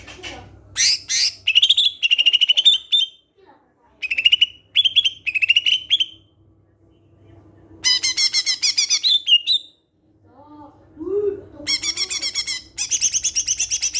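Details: Varied song of a greater green leafbird, meant to lure other leafbirds into calling: rapid chattering trills, steady whistled phrases, buzzy rattling runs and a few lower soft notes, with short pauses between sections.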